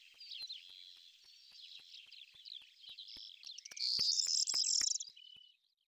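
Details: Corn bunting delivering a short, loud jangling rattle near the end, standing out over a continuous bed of softer twittering from other birds.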